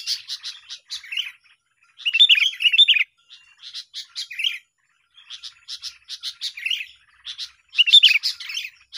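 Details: Sooty-headed bulbuls in a session luring birds for trapping: bursts of busy warbling alternate with clusters of sharp, high chip notes, separated by short silences, the loudest flurries coming at the start and near the end.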